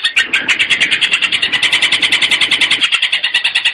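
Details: Long-tailed shrike in the gabusan lampir style, a training recording for young prospect birds: a fast, harsh chattering trill of evenly repeated buzzy notes, about three per second, steady throughout.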